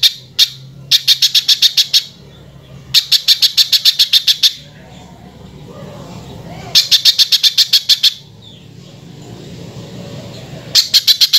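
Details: Spiderhunter song, harsh-voiced, played as a tutor recording for training other cage birds: bursts of rapid, sharp, high chipping notes in runs of about two seconds, separated by quiet pauses with faint low hum.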